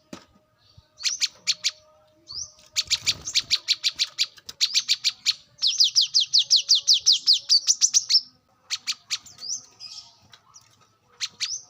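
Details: Brown-throated sunbird in the wild, recorded as a lure and training song. High, rapid chip series form long trills, including a fast buzzy run of even notes. The bursts are separated by short pauses, with faint rustling.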